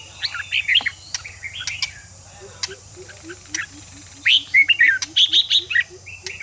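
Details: Red-whiskered bulbul song to rouse fighting song, scratchy warbles and clicks early, then a loud run of quick whistled notes; a soft low chirp repeats steadily underneath, about three per second.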